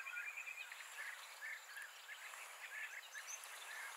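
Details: European bee-eaters, noisy colonial birds that return to Greece each spring; a chorus of short burry trilled calls from several birds, dense and continuous, over a constant high-pitched insect drone.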